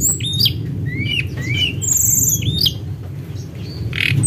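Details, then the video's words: Actively singing tledekan gunung, used as a lure: short slurred whistles sliding up and down, one long thin high note held for about a second, over constant low background hum. "Burung Tledekan Sulingan Gunung Gacor"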